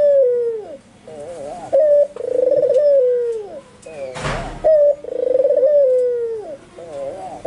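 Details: Energetic albino white Barbary dove giving repeated coos: a short clear note, a long throaty trilling coo that falls at the end, and softer wavering notes between, broken once by a brief burst of noise.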